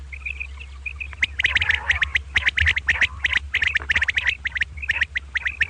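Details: Common quail (batair) calling in the morning, a double 'kirk karkar' call: a run of sharp, clipped, rasping notes in quick bursts over a faint, steady series of high chirps and a low hum.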